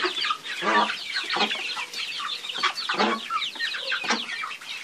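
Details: Chickens calling together: dense overlapping high chirps and peeps, with several lower broad clucking bursts near the start and middle, steady and continuous throughout.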